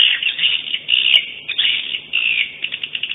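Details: Swiftlets twitter in dense, buzzy, high chirps, rapid and continuous, with short rattling bursts toward the end, from a 2017 swiftlet sound tournament recording; the sound is thin and clipped at the top.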